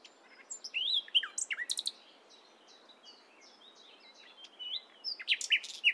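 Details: Nightingale singing in the morning: varied phrases of sharp whistled notes and quick chirps, loud bursts around the first and fifth seconds with softer rising and falling whistles between, over faint background hiss.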